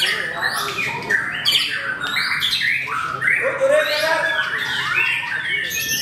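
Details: Caged white-rumped shama (murai batu) at a bird-singing competition, a debut entrant placing on the podium; loud overlapping whistles, upward sweeps and chattering bursts from multiple singers with no pauses.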